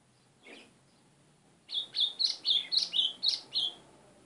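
White-throated seedeater singing a quick, bright run of about nine sharp, high notes in two seconds, after a faint lone note and a quiet pause.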